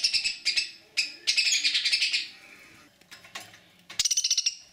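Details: A caged budgerigar that does not want to be touched, or is in pain, gives harsh, rapid scratchy chatter in bursts, high and grating, with short sharp repeated notes near the end.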